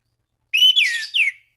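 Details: Single short phrase from an orange-banded thrush calling rivals: a clear whistle held level, then sliding down, followed by a second quick descending whistle.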